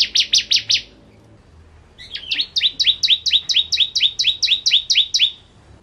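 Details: Bar-winged prinia, the crystal ciblek, singing in full ngentrok style: a rapid burst of five sharp, buzzy downslurred notes, a brief pause, then a longer run of about fourteen quick, evenly repeated chipping notes.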